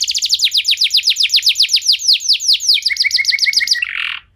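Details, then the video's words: Lively canary song played to spur other canaries to sing, with quick repeated downward-sweeping whistles that speed up, shift to a lower clipped series, and end in a short harsh rasp. "Kenari Anda Bisa Gacor Seketika Dengar Pancingan Kenari Nembak Joss Ini"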